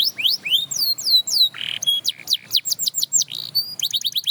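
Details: A canary said to inspire others to sing delivers a varied song: quick upslurred whistles, downswept notes, a brief harsh buzz, then fast bursts of high chirps repeated several times a second.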